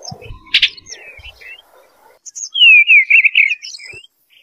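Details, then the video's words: Eastern bluebird singing: after faint clicks and rustles, one loud, soft warbled phrase that wavers and slides downward for over a second, with quieter twittering notes trailing off. "Eastern Bluebird Call The Melodious Song"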